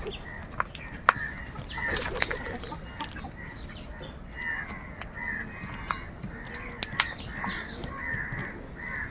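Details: A flock of crows squabbling over food, giving loud, hoarse, nasal caws in uneven bursts, several calling at once, with sharp taps and rustling noises mixed in.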